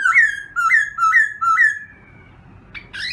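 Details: Morning voice-training song of a black-throated laughingthrush: four loud rising whistles repeated about every half second, then silence and two brief sharp notes at the end.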